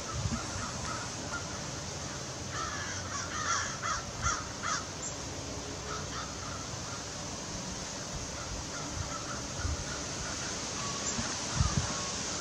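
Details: A group of crows calling among trees in autumn in Québec, Canada; a short run of about five harsh, nasal caws in quick succession midway, then fainter scattered calls over steady broadband background noise and occasional low thumps.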